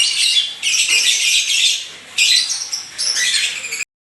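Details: Lovebird kept at home, said to be singing energetically, pouring out bursts of shrill squeaky chatter and piercing chirps, broken by brief dips before each new burst, then stopping abruptly.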